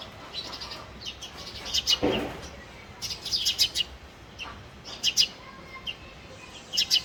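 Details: Male house sparrow giving short, bright chirps in clusters of two or three, spaced about a second apart, over quiet background noise.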